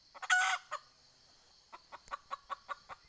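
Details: A red junglefowl decoy hen, calling to attract wild junglefowl, opens with a loud, grating squawk, goes quiet briefly, then gives a run of evenly spaced clucks with a faint knock in the background.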